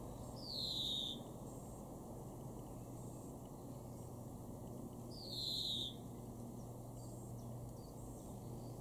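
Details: European greenfinch, a garden bird in Weener, East Frisia, far northwest Germany, May 2021, giving two evenly spaced nasal wheezes that drop in pitch, about five seconds apart, over a steady low hum.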